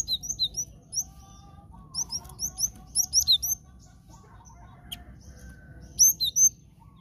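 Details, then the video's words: Cinereous tit lure sound for trapping: many quick, high, downslurred chirps strung in lively sequences, briefly pausing, then resuming with a louder paired chirp near the end. "Pancinga Glatik Batu"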